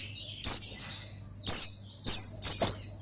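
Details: Oriental white-eye singing in the ngalas style, used to call and provoke a rival. High, thin chirps sweep down in short bursts, with gaps of about a second, over a steady low hum.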